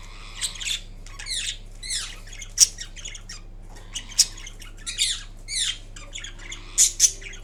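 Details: Kiwi green Indian ringneck parrot, a pet, vocalizing while napping indoors: scattered harsh, downslurred squawky notes and chirps in short bursts with pauses, a steady low electrical hum beneath.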